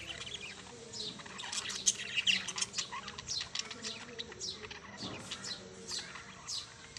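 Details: Busy parrot chirping, with rapid overlapping high tweets and squeaky calls running throughout and several birds apparently calling at once.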